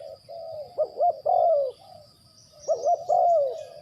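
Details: Decoy spotted dove used in bird trapping, delivering two low, rounded cooing phrases, each a pair of quick notes followed by a longer drawn-out coo that falls away.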